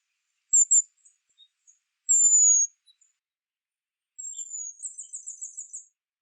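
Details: Western Spindalis, a songbird of thickets, forest edges and gardens, giving varied high thin calls: short very high chips, then a drawn-out thin descending whistle, then a long thin note breaking into a rapid buzzy trill.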